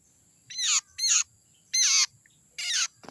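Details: Young wild common iora (sirtu) recorded in forest as lure sound: four harsh, rasping, high notes, each lasting about a quarter second and spaced irregularly, with a faint background hum.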